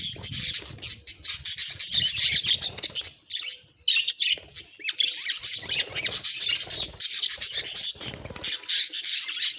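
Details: Continuous loud budgerigar warbling: dense, rapid chirps and squawky notes run almost unbroken, with a short dip in the middle before the busy chatter resumes.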